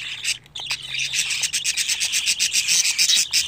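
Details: Budgerigar chicks at day 25 give rapid, pulsing raspy calls, about four pulses a second, after a brief quiet start.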